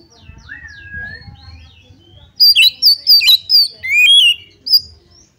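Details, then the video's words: Oriental magpie-robin song intended to bait a rival into fighting: a soft, drawn-out whistle, then a loud rapid sequence of bright, varied whistled and chattering notes, ending with one isolated high note. "pancingan kacer tarung cari lawan"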